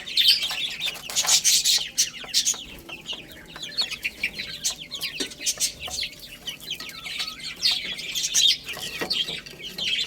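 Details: Several chicken chicks chirp while playing and feeding, their thin, falling peeps overlapping densely, with clusters of clicking taps that grow louder at the start and near the end.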